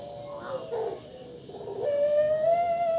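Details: Captive female puter pelung dove kept for luring others to call, giving a rough wavering opening that settles into a steady, slowly rising, sustained tonal note.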